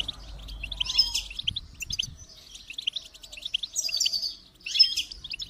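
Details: Goldfinch song: a fast, jangling twitter of high tinkling notes and short trills, rising in a few bright bursts, with faint low rumbling underneath.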